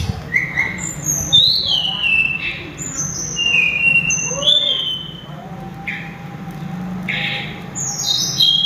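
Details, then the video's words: Sulingan, or tledekan gunung, singing loud, sweet whistles: descending and level notes with pauses, a low faint whistle in the middle, steady low background noise. "burung sulingan atau tledekan suara merdu langsung ngelangit berkicau"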